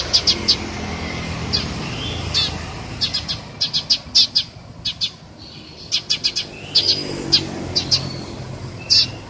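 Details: Sharp chirps from a Eurasian tree sparrow come in small clusters of two to four, over a steady low rumble of distant traffic.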